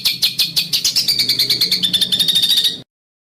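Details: Bird master song for training in harsh besetan style: quick, regular scratchy pulses that speed up slightly and blur into a tight buzzing trill before stopping abruptly.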